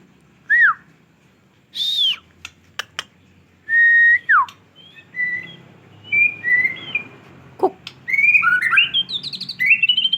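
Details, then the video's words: White-rumped shama after moulting sings clear, separate whistled phrases, some flat and some falling sharply. Sharp clicks and short pauses break them up, and faster rising notes build at the end. "MURAI BATU PASCA MABUNG FULL TEMBAKAN"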